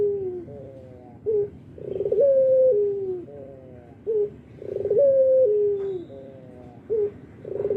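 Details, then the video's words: Albino Barbary dove cooing tirelessly, morning, noon and night; three cycles of a brief upswept note followed by a long sustained coo that eases down in pitch, roughly every two and a half seconds. "Suara burung puter albino gacor pagi siang malam"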